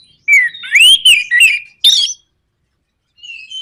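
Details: Orange-headed thrush, played to draw other birds into song: rich rising and falling slurred whistles, loud and clear, followed by a sharp burst and a faint whistle after a silence.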